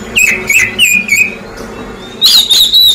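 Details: An Oriental magpie-robin that has just finished its moult sings four quick, clear whistled notes, each sliding down, then a louder, higher burst of bright whistling, used as a lure to prompt response; faint room hum beneath.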